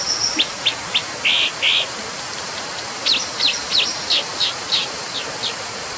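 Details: Brown dipper calling in quick high ticks, two fuller buzzy notes, then a rapid run of sharp chips about three per second, all above a steady rushing hiss.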